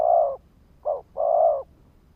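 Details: Cooing of a spotted dove kept as a decoy to lure wild birds: a long mellow coo, a short clipped note, then another long drawn-out coo, low-pitched and smooth in a quiet setting.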